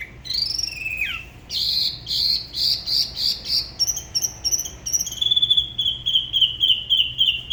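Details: A spot-throated babbler from La Ba river, Da Lat, sings solo. A downslurred whistle opens, then fast pulsed trills rise in pitch and finish as a quick run of clipped repeated notes.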